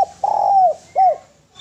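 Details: Spotted dove in clean, melodious song. A long, soft coo bends downward at its close, followed after a short break by a brief arched coo, over a faint low hum.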